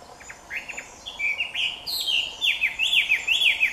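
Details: Chinese hwamei singing close at hand at Jike Furusato Village: loud, varied whistled song of quick slurred notes swooping up and down, building into rapid repeated looping phrases, with faint insect hiss behind.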